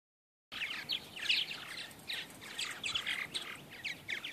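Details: Purple martins flying in the morning chatter in a steady stream of bright, overlapping chirps and gurgles, several birds calling at once with no pause.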